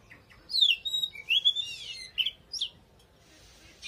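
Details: Oriental magpie-robin giving a short, loud phrase of fluting whistles and bending slurs, followed by a couple of sharp notes and a brief quiet spell.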